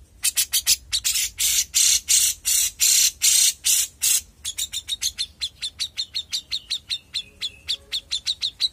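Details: Young grey-cheeked bulbul singing energetically: loud, harsh buzzy notes in a slow series, switching to a long run of quick, sharp whistled chips.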